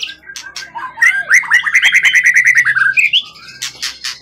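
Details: Caged competition songbird from the wild, long kept and not skittish, tail beyond 20 cm: a rapid rattling run of repeated whistled notes, about three per second, framed by sharp high chips.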